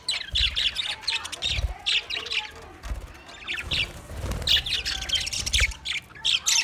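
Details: Twenty budgerigar pairs in lively high chirping and warbled chatter, repeated bursts of overlapping notes with low thumps between them.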